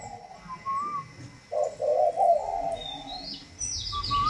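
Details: Spotted dove of the northern 'thunder voice' singing style from Vietnam, a tame captive bird, gives one deep, rolling coo phrase in the middle; a thin, high whistled note sounds before and after it, with faint background noise.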